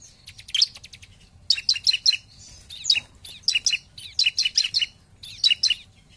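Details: Bar-winged prinia song in 'nembak' lure style: rapid, clipped high notes grouped in tight series of three to five, each burst separated by short pauses.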